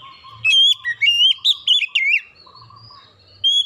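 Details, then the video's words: Oriental magpie-robin singing, played as a lure to get other birds singing: loud clear whistled phrases sliding up and down, short bursts separated by brief pauses, with a faint low hum in the background. "PANCINGAN KACER LANGSUNG GACOR NGEPLONG NGOTOT BONGKAR MATERI ISIAN"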